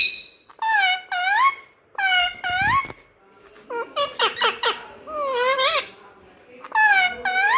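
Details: Pet Indian ringneck parrot talking nonstop, mimicking human speech in a small room: clear voice-like phrases with rising and falling inflections, separated by short pauses, with rapid chattering syllables in the middle.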